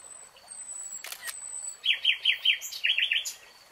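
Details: Nightingale singing through a lush green forest; thin high whistles and a dry rattle open, then two quick bursts of sharp, repeated chattering notes.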